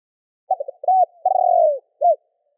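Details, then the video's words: Spotted dove giving a provoking call aimed at wild doves. One complete phrase: quick stuttered notes, an arched coo, a drawn-out purring descending note, and a short closing hoot, in a quiet setting. "Chim Cu gáy gọi kích bổi / Tiếng cu gáy kích bổi Hiệu quả"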